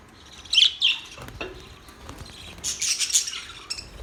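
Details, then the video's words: Budgerigar chirping: two quick, high squeaky notes, a short lull, then a fresh cluster of sharp, high twitters. "Budgies sounds | Budgies singing | Budgies chirping sounds"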